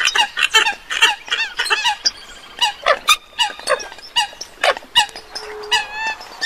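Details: Eurasian coots recorded abroad, giving rapid bursts of loud, nasal, clipped calls. Thin rising whistles are interspersed, and a brief flat tone sounds near the end.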